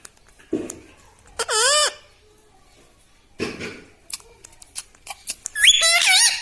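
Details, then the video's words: Talking pet parrot kept indoors, said to say mitthu and mummy: short bursts of curved, harmonic, speech-like syllables separated by pauses, with rustling and faint clicks between. "TALKING PARROT - MITTHU MITTHU - MUMMY BOLNE WALA TOTA - मे तोता में तोता है मिट्ठू मिट्ठू"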